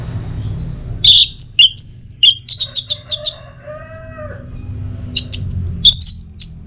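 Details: Orange-headed thrush from Singaraja, Bali, in a masteran lure for the teler song. Varied high whistles and a series of rapid chips lead into a lower drawn-out buzzy phrase, then scattered sharp notes.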